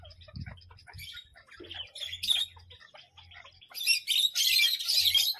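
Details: Parrot making scattered short scratchy chirps that build into a louder run of harsh, grating screeches near the end, with a low hum in the background.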